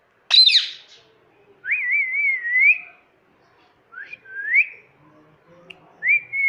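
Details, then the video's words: Pet talking rose-ringed parakeet taught to say "mummy" and "mitthu" gives one harsh squawk, then three high, warbling, word-like phrases rising at the end, about two seconds apart, in otherwise quiet surroundings. "Mitthu Mummy Mummy bolne wala || Talking Parrot || Mitthu Mummy Papa Bolega"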